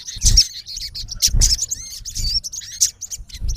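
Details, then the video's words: Male olive-backed sunbird in natural habitat, calling a rival: a short sequence of high sharp chirps and squeaky slurred notes, irregularly spaced, with soft low bumps between them. "MALE SUNBIRD CALLING RIVAL -SOGON GACOR MEMANGGIL LAWAN KASAR"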